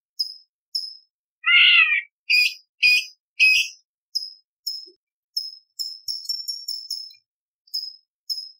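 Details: A cucak cungkok bulbul gives sharp, high, clipped notes about every half second, broken by a few loud, harsh, lower-pitched rasping bursts.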